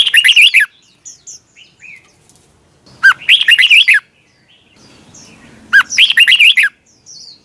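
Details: Red-whiskered bulbul singing in competition in the 'twisted voice' style, a morning recording made for training birds: three bright warbled phrases, each about a second long, come every two to three seconds, with faint chirps between them.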